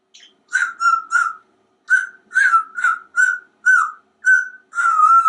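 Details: Talkative pet African grey parrot, hatched in 1997 and living in a home in Texas, chatting while pretending to write a letter. It repeats a string of short, clear, tonal syllables of similar pitch in a quiet room.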